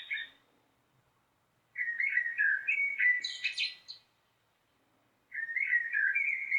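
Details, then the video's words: Blackbird singing two separated phrases, each a mellow warbled whistle rising into a high squeaky twitter, with a pause of over a second between them. "Canto de Melro - Som de Melro"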